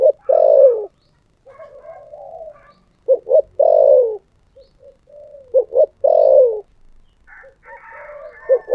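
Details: Spotted dove, thổ sấm song style: repeated low coo phrases of two short notes plus a long falling note, with soft murmuring coos between them and faint chirping from other birds.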